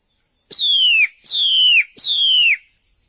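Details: Murai batu (white-rumped shama) in full isian style: three long, clear whistles, each sliding smoothly downward and lasting about half a second, separated by short gaps, over a thin constant high background tone.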